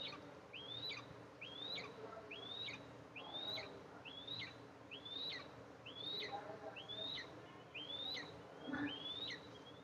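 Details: Eastern imperial eagle nest on July 14, 2024: the mother arrives to feed her two eaglets. Roughly ten high whistled notes, each swept upward then falling abruptly, are spaced evenly over a low hum.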